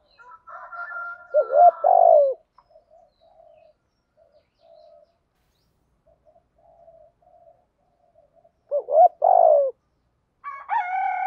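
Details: Captive-training coo of spotted doves, Thổ-style urging voice, used to rouse birds that have gone quiet; two clusters of short stuttered notes each ending in a loud deep coo, separated by low mumbling, with a tonal phrase closing.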